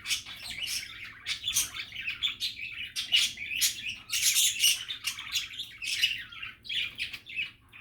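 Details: Happy, relaxing budgerigar chatter, lively rapid chirps and warbles with loud squeaky accents scattered through an almost continuous flow.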